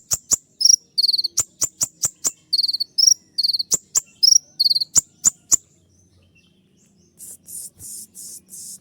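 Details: Kolibri ninja sunbird giving sharp shrill 'tembakan' notes: high ticks and short trilled bursts in quick succession, then a pause followed by several softer, hissy buzzing bursts.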